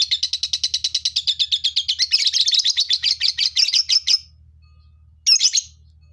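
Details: Lovebirds in a colony chatter in a fast, even run of high scratchy notes for about four seconds, then fall silent before one harsh squawk.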